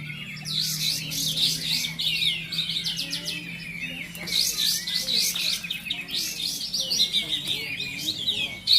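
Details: Kapas tembak bulbuls in a Pasaman Timur singing contest at Bonjol chirp and twitter rapidly in overlapping high bursts, with a steady low hum behind.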